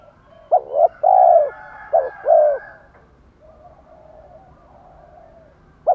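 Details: Spotted dove coo for goading a wild-caught bird into calling. Two hollow phrases: a brief stuttering double note, then a sustained soft coo. A quiet low hum follows, and a new phrase begins at the end.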